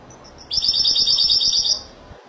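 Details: Spanish goldfinch singing in the Malaga style: a single bright, high trilled phrase of about one and a half seconds, rapidly pulsed and ringing, over quiet background hiss.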